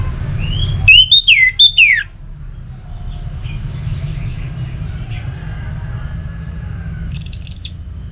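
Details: Orange-headed thrush song played to stir other caged birds into singing: loud, clear whistled phrases with sharp rising and falling slurs, then a quiet pause and a short buzzy burst near the end, over a steady low hum.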